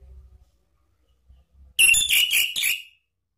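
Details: Orange-headed thrush used as a lure for cage birds, singing ngeplong: after faint low rumbling, a loud second-long burst of rapid high whistled notes broken into quick pulses.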